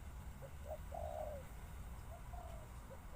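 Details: Spotted dove cooing softly against steady low rumbling noise, with short low coos and a longer drawn-out, slightly falling coo note.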